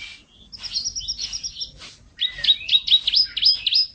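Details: Canary in 'gacor isian' song: a thin high sustained rattle, then a loud run of quick rising-and-falling whistled notes repeated about four times a second.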